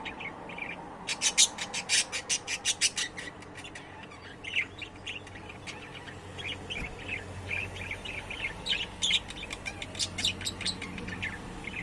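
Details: Budgerigar chattering: a fast train of sharp clicks early on, then continuous warbled chirps and twitters, followed by another clicking burst near the end.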